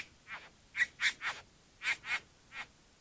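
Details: Rasping, hoarse bowerbird calls, short breathy bursts delivered in loose pairs with brief pauses, seven notes in three seconds over a quiet background.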